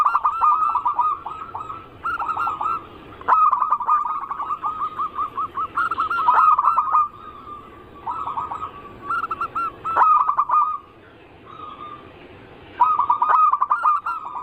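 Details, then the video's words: Massed zebra dove song, local, Bangkok and crossbred types, used as a lure. Overlapping birds repeat clipped cooing phrases that end in held notes, with short quiet gaps between bursts over about fourteen seconds. "Pancingan burung perkutut paling ampuh penarik Bunyi semua jenis burung perkutut Anggungan"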